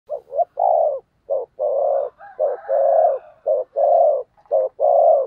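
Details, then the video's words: Decoy spotted dove giving the thúc gù style of cooing, meant to provoke wild doves into cooing back: low, hollow coos in short and long units, repeated in a steady rhythm. "Tiếng Chim Cu Mồi THÚC GÙ Bổi Nghe Ức Chế Gáy Theo Cả ngày"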